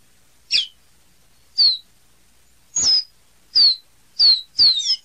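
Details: Caboclinho producing six clear, high, downslurred whistle notes at irregular intervals of roughly a second, the last two closer together and slightly doubled.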